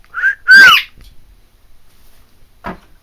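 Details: Loud screech from a pet macaw: a brief nasal note, then a piercing, arched, harsh scream swooping up and down, and a faint rough squawk a couple of seconds later.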